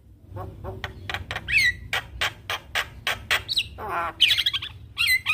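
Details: Javan myna singing in 'gacor full isian' style, said to prompt other mynas to join in: choppy harsh squawking pulses mixed with brief twisting whistles and one dense grating burst near the end.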